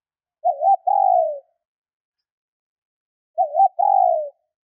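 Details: ['Two coos from a female spotted dove used to stimulate males, spaced about three seconds apart; each opens with a brief tremulous note and ends in a longer, gently falling tone, in clean silence.']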